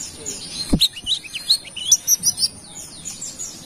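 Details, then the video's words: Actively singing brown-throated sunbird from Kalimantan, recorded as a lure. A string of thin, high, upslurred chirps repeated several times a second, bright and squeaky, fading into faint twittering. "Kolibri Wiceh Gacor / Pancingan Burung Manggar Kelapa"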